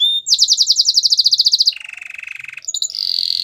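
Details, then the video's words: Canary singing a training song: a rapid trill of downslurred notes, then a lower, softer rolling buzz, closing with a high sustained buzzy tone. "Most popular canary training song"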